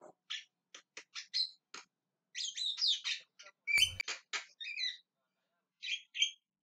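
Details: Clipped chirps and buzzy screeches from a calling Javan myna, with slurred, wavering notes in the middle, a sharp click partway through and a few final squawks.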